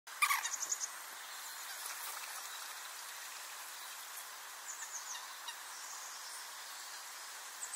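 A common moorhen gives one short, harsh, throaty 'kurruk' right at the start, then falls quiet; faint chirps of other birds and insects fill the background.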